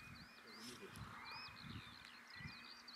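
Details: A very active party of Eurasian Stone-curlews calling and displaying to each other in early morning by a sandy path in East Anglia, giving thin, high, wailing whistles that rise and fall and overlap, against low rumbling wind.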